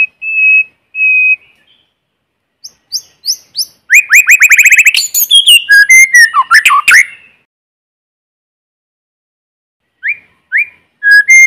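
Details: Lure song of a white-rumped shama in forest, free of background noise: two steady pure whistles, sharp upslurred notes, then a fast rattling trill into tangled varied phrases, a pause, and more upslurred whistles.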